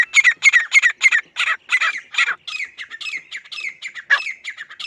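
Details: Grey francolin calling with rapid, harsh repeated notes that start regular and loud, then become fainter, more overlapping and uneven, with a few sharper notes near the end.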